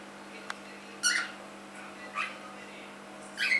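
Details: Three-month-old pet cockatiel giving three short, harsh, rising chirps spaced a little over a second apart, the last loudest, over a steady low electrical hum indoors.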